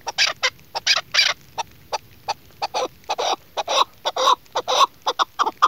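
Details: Female chukar partridge kept as a hunting decoy, calling in a quick series of short, clucking notes, uneven in spacing with brief pauses, clear against a quiet background.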